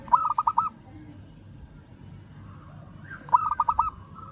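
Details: Local zebra dove calling a rival with two crisp phrases about three seconds apart, each a rapid run of five clipped coo notes ending in a soft trailing tone.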